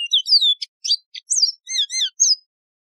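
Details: Yellow-fronted canary, a wild canary known in Algeria as the Mozambique serin, singing a quick run of sweet, high whistled notes, slurred downward and rising, with short trills and double chirps across three seconds; no other sounds.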